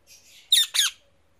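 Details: Two loud, grating shrieks in close succession from an Indian ringneck parrot on a tree, the second with a falling sweep; otherwise near silence.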